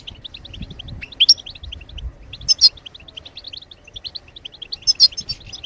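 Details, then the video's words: European goldfinch chirping, played to urge other birds to sing: a string of quick high notes, with a sharp bright phrase returning about every one and a half seconds. "بتبتات الحسون لتحفيز الطيور على التغريد"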